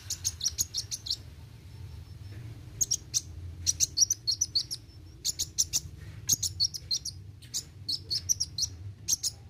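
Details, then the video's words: Sunbird, known locally as kolibri wuling, singing vigorously in the rapid 'roll tembak' style: bursts of very high, sharp ticking chirps in quick runs of four to eight notes, separated by short pauses, over a low steady hum. "Kolibri Wuling Gacor Roll tembak"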